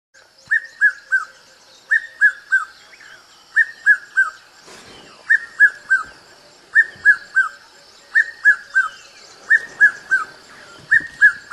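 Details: Red-chested cuckoo, known as Piet-my-vrou, calling a clear whistled three-note phrase that falls in pitch, repeated about every one and a half seconds, eight phrases in all, with a steady high hiss in the background.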